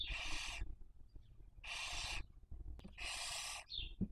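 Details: In Cabañeros National Park, Spain, a webcam nest of Barn owl (Tyto alba) raising young in the 2023 breeding season: three harsh breathy screeches at regular intervals, with a sharp click and faint squeak near the end.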